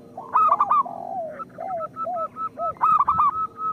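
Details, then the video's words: Singing zebra doves of a local type, played to stimulate other doves: rapid arched coo clusters open and close the clip, separated by slurred, descending lower notes and a string of short repeated coos. "Perkutut lokal gacor Suara Pancingan Paling Disukai Burung Perkutut"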